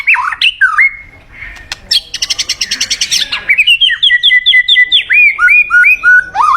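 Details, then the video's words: Varied song of a white-rumped shama, used to lure in a mate: whistled rising and falling notes, a harsh rapid rattle, then a string of bright slurred whistles repeated in quick succession. "เสียงนกบินหลาดง นกกางเขนป่า ใช้ต่อนกเรียกคู่เข้าเร็วมาก"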